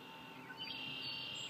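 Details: Yellow-breasted chat giving a single drawn-out, slightly buzzy high whistle that holds level for under a second, with a faint background hum.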